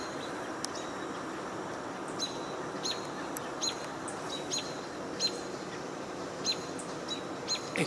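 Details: At least a couple of American Robins vocalizing near Bradfield on 29 June 2022, possibly reacting to one another, give sharp, high, clipped call notes at irregular intervals of about a second over a steady outdoor hiss.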